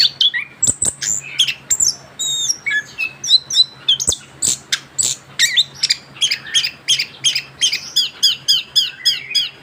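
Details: Young orange-headed thrush after its moult delivers non-stop rolling song: varied whistles and slurs at first, then a quick regular run of repeated sharp double notes, over a faint steady hum.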